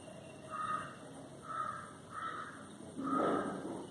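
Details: Indian grey hornbill from a resident neighbourhood family on its morning routine of foraging in papaya, fig and berry trees, giving four shrill, drawn-out calls about one second apart over a steady background hum.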